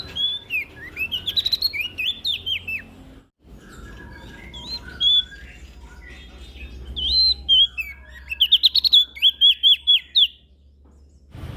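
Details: Olive-backed tailorbird from NTB in energetic full song meant to coax silent birds into singing: bursts of rapid rising and falling whistled chirps with short pauses between phrases, and a low steady hum underneath.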